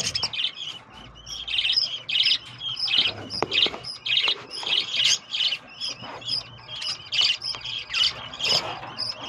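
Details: Caged breeding colony of lovebirds, with babies, kept at home: dense, continuous overlapping chirps and squawks from many birds, with faint low background hum.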